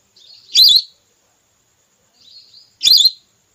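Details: Female whistling duck calling, a sound used to lure red or plain whistling ducks while hunting: two bright, high, wavering whistles roughly two and a half seconds apart, each led in by a quieter drawn-out whistle.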